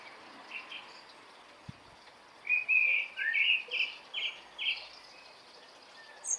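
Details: Morning birdsong: a run of bright, chirped and warbled notes arriving in quick bursts high in pitch, preceded by a quiet stretch with faint distant twitters and a single soft tap.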